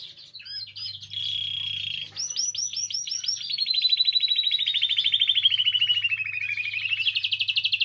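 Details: Song of a canary, intended to stimulate canaries to sing: brief chirps and a steady whistle, then repeated swooping notes running into a long, fast trill that sinks in pitch before lifting again.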